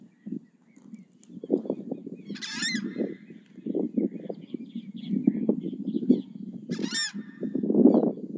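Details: Southern screamer vocalizing: dense low honks and grunts building in loudness, with two short, high, ringing trumpet-like cries rising above them.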